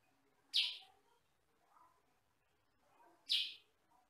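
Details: Sooty-headed bulbul, a bird described as having a rather loud voice of one or two tones: two loud, harsh, burry bursts about three seconds apart, with faint low murmuring in between.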